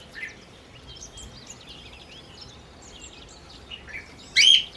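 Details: Soft twittering and warbled notes from other birds fill the background before a sun conure playing with a ring breaks in with one sudden loud, harsh screech near the end.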